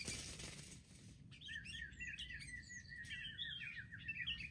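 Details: Wild sooty-headed bulbuls mobbing in a group as trappers try to catch them: after a noisy start, a lively stream of repeated, falling chirps and scratchy notes, with steady rumbling noise underneath.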